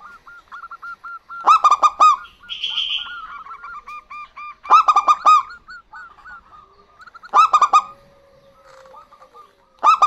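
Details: A male and female local zebra dove answering each other: loud bursts of rapid, rolling coos about every three seconds, with a buzzy call and strings of clipped notes between them.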